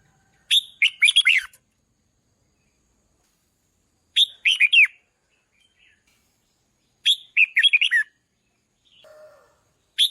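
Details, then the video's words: Red-whiskered bulbul singing to provoke decoy birds: short bursts of bright, warbled notes sweeping down, about a second each, repeated every three seconds with silent gaps. "นกปรอดหัวโขนร้องเพราะที่สุด | ฝึกเสียงให้ร้องดัง | กระตุ้นนกต่อให้ฮึกเหิม"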